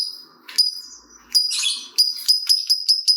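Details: Lovebird chattering meant to set other lovebirds singing: scattered high chips and a burst of harsh buzzy notes, then a fast run of short repeated high chirps.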